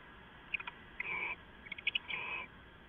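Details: Owl on a live nest camera just before midnight, 2 September 2014: sharp tapping clicks mixed with two drawn-out, wheezy, scratchy screeches, each around a third of a second long.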